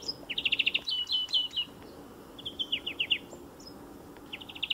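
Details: European greenfinch singing beside a motor racing circuit: bursts of rapid, even trilled notes in a high, bright pitch band, grouped in short rattling runs with brief pauses, over a faint low hum.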